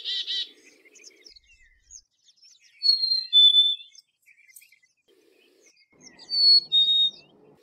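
Black-capped chickadee giving two clear, sweet whistled 'fee-bee' phrases about three seconds apart, the second note lower, after a brief buzzy opening note.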